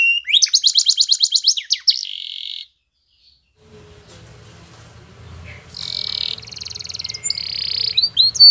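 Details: Spanish Timbrado canary training song: a fast high trill and a short steady note, then a brief pause and low background rumble, before rolling trills and whistled phrases resume.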